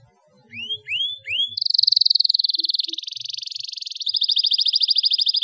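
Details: Canary song for training young canaries to sing: three rising whistled slurs, then a long fast even trill of high pulsed notes, shifting pitch twice into further rapid rolling trills.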